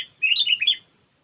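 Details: A single bright, bubbly phrase of four or five rapid slurred whistled notes from a sooty-headed bulbul, played as a lure for trapping, fading into silence.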